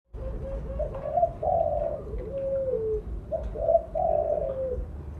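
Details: Spotted dove of the mottled blorok colour form, a loud, active singer used as a lure call: two soft, low cooing phrases of hollow, slightly falling notes, with a steady low rumble of background noise.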